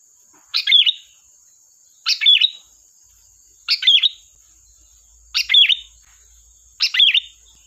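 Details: Sooty-headed bulbul pouring out sharp 'tembakan' song used as a lure, five quick bubbling phrases with a dipping whistled middle, delivered every one and a half seconds over a steady high background whine.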